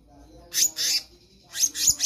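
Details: Black-naped monarch in full voice, used as a tutor for other birds: two grating scratchy bursts, a brief pause, then three more harsh rasps in quick succession over a faint hum.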